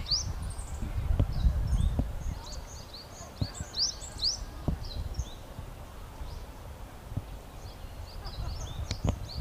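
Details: Brown-eared bulbuls in Japan calling loudly while feeding on nectar in a blooming cherry tree; many short high chirps and rising strokes overlap from several birds above a steady low rumble and occasional clicks.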